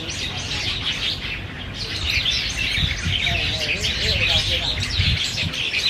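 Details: Several black bulbuls squabbling over Chinese banyan figs, Niaosong Wetland Park, 4 November 2015, Canon PowerShot SX700HS; a continuous chatter of sharp chirps and squeaks that grows louder midway, with low rumbling beneath.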